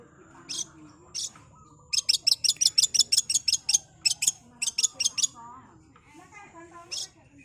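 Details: Long-tailed shrike singing at high speed: a rapid volley of a dozen piercing, high ticking notes in quick succession, then a few scattered sharp calls over soft background twittering.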